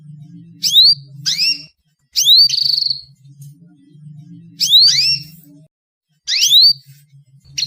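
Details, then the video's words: Female canary giving calls meant to set male canaries singing: clusters of quick, high, upslurred chirps separated by short silences, with a steady low hum beneath. "SUARA KENARI BETINA, PANCINGAN KENARI JANTAN AGAR GACOR"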